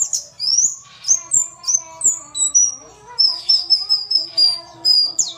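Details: Female white-eye voice for coaxing lazy males into song: repeated high upslurred chirps about twice a second, then an extended thin pulsing whistle.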